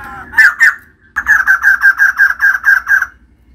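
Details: Female white-crested laughingthrush singing energetically: two loud harsh notes, a brief pause, then a steady rapid series of about ten loud chattering notes, evenly paced and slightly falling.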